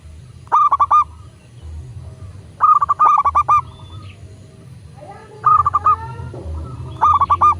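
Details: Zebra dove, local type, singing as a master recording for doves: four rapid stuttering coo phrases of evenly pitched clipped notes roughly every two seconds, one overlapped by a longer nasal harmonic call, with low hum underneath.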